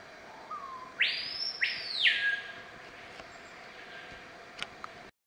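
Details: Screaming piha by the Essequibo River at Iwokrama River Lodge, Guyana. A short low whistle is followed by a loud ringing two-part call that first sweeps upward, then slurs down to a lower whistle. A quiet forest background follows.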